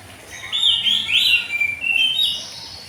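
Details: Oriental magpie-robin singing in the morning in the loud open ngeplong style: a run of clear, high whistled notes, some sliding up and others falling, delivered in a continuous varied phrase over a quiet background.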